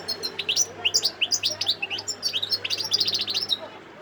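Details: Sidi Bel Abbes, 17 December 2021: a wild goldfinch delivers rapid, evenly spaced high chirps and twitters in a lively three-and-a-half-second phrase, with a low steady hum underneath.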